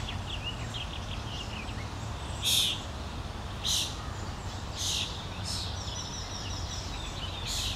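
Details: On a Helsinki lawn in June, a common starling parent feeds its fledgling; the young bird gives five short, grating, noisy begging rasps at irregular intervals, with faint thin chirps before them and a low constant rumble.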